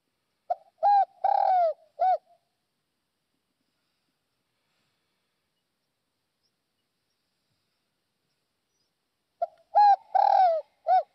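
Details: Spotted dove from northwest Vietnam, recorded as a clear-toned lure call: a short phrase of soft, hollow coos rising then falling, a brief stutter before a longer croo, repeated after a long silence.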